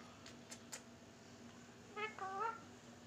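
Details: Pet Indian ringneck parakeet indoors in a small room giving two short harmonic calls, the second rising then falling, after about two seconds of near silence with a few faint clicks beforehand.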